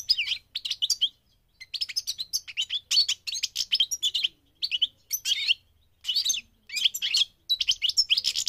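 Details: A migrating goldfinch sings a fast, tinkling twitter of high, liquid notes and buzzy trills in bursts of about a second, with brief pauses between phrases.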